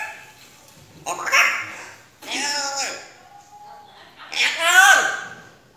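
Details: African grey parrot imitating human speech: three separate speech-like phrases with bright harmonics and sliding tones, spaced about a second apart, in a quiet room.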